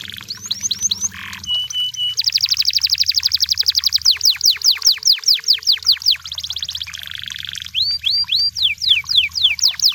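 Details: Canary in the wild pouring out song: swept whistles, a flat thin tone, a long rhythmic trill of repeated notes, downward slurs about four per second, and a closing run of looping whistles.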